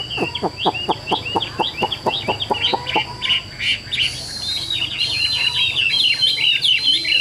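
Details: Caged Chinese hwamei repeats sharp, clipped notes about two per second, then switches to flowing, high whistled phrases, with a steady thin whine throughout.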